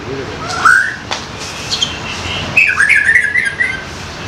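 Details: Forest-caught young white-rumped shama, a tutor bird, singing a rising whistle followed after a pause by a longer rippling warble of quick up-and-down notes, against faint background hiss.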